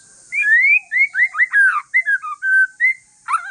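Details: White-rumped shama of Aceh forest stock singing a relaxed song meant to prompt other shamas to answer: a string of clear whistled notes, rising and falling slurs, about ten phrases in quick succession with a steady high hiss behind.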